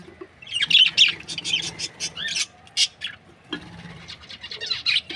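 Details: Breeding pair of budgerigars from Australia giving intermittent high, scratchy chirps and short twittering runs, louder in the first half, softer later.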